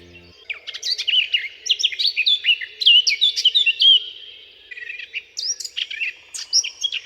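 A Eurasian Blackcap sings a fast, high, scratchy warble that swells into louder, clearer fluty phrases, then restarts; a brief low tone sounds at the very start.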